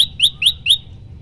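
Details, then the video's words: Prenjak lumut, a prinia, giving its loud 'tembakan' song variation, the kind played to train other birds: four sharp, upswept chirps near the top of its range, about one every quarter second, over a faint low hum. "prenjak lumut gacor suara tembakan keras"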